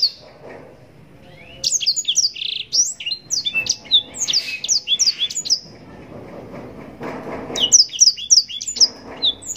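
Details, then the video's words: Yellow-rumped seedeater (blackthroat) singing two long bursts of fast, high, varied twittering and sweet chirps, separated by a brief pause. "Blackthroat gacor nembak panjang cengkok mewah"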